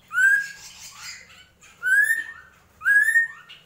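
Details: Drongo giving three loud, clear upslurred whistles, each rising and then levelling off, spaced about a second and a half apart, with faint chattering between them.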